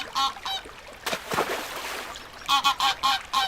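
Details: Young ducks call in short nasal bursts, with a loud watery splash in the middle, then a quick cluster of four or five calls.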